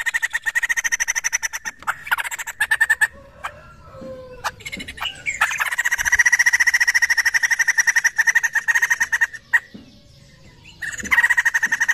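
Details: Poksay laughingthrush calling, used as bait sound to make other poksay reply. Long runs of rapid, harsh chattering notes alternate with short whistled and scratchy phrases, with brief gaps between bursts.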